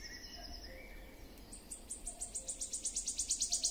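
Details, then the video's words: Wood warbler song: a few high thin notes, then a fast run of sharp ticking notes that speeds up and grows louder into a shivering, metallic trill. "Świstunka leśna . Śpiew."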